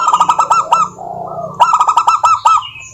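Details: Zebra dove of local wild stock singing as a lure for other doves: rapid series of short, clipped coo notes in two bursts separated by a softer trill, with crisp clicks above.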